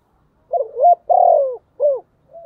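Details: Decoy spotted dove cooing to attract wild birds, 'thổ' voice style: one full phrase of two quick rising notes, a drawn-out descending coo, a short hoot and a soft trailing note.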